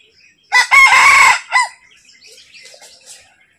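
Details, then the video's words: Red junglefowl calling to a female: one loud, harsh crow of a short opening note, a long strained sustained middle and a brief clipped ending, lasting about a second, followed by faint small-bird chirping. "Red jungle Fowl calling to female"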